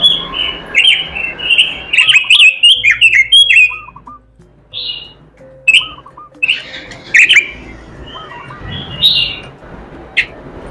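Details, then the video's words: Robin in full melodious song with learned filler phrases: bursts of bright, slurred whistles and chattering trills, broken by short pauses, with faint lower rippling notes repeating in the background. "robin suara merdu gacor isihan"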